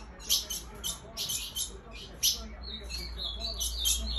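A female Ultramarine Grosbeak gives short, high, scratchy chip notes in irregular bursts over a steady low hum.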